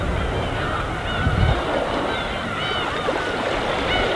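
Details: Gulls wheeling in a flock over the winter sea of Korea's East Sea coast, giving short arching mewing calls scattered over steady, heavy surf and wave noise.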